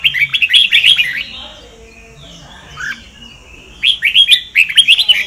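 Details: Sông Kon style Red-whiskered bulbul song, recorded for training other birds' voices: a fast burst of bubbly whistled notes, a quiet gap with a soft rising note, then another quick chattering phrase.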